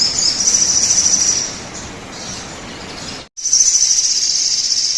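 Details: Sogon singing as a lure so other birds start singing: a loud, very high, buzzy trill, a softer stretch, a brief cut of silence, then the intense high trill resumes.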